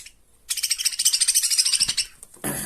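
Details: Budgerigar chicks in a cage, grown young of a male budgie. A rapid, dense run of high chattering chirps lasts about one and a half seconds, followed by a short burst of noise.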